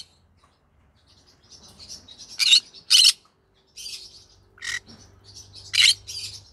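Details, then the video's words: Evening chatter from a pet green-cheeked conure: quiet scratchy warbling broken by loud, harsh squawks arriving singly or in pairs, with silent gaps between and a faint low hum in the background. "good evening everyone come hear me sing together Green Cheek Conure Parrot Bird"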